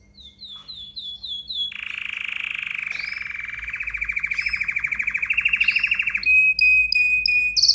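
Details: Excited canary singing: a few short descending notes, then a long buzzy rapid trill held near one pitch that grows louder, ending in clipped high repeated chirps.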